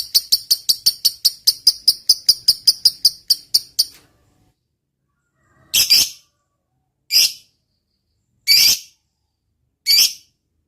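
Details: Lovebird long ngekek used to goad other lovebirds: a rapid series of high ringing chips for about four seconds, then silence broken by four separate harsh, broadband squawks at irregular intervals.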